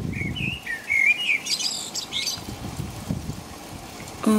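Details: Common blackbird singing in the rain at about five in the middle of the night in England: a mellow, fluted warbling phrase wavering up and down, ending in thin, squeaky twittering notes, over a steady rain hiss and low rumble.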